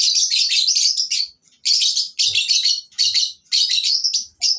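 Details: Many lovebirds calling at a breeding farm, used as tutoring sound for silent birds: shrill, scratchy twittering in long bursts lasting a second or so, broken by short gaps.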